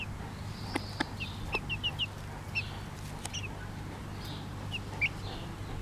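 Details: Bobtail Pekin bantam hen with chicks: a string of short high chick peeps, some in quick pairs, between a few sharp clucks from the mother.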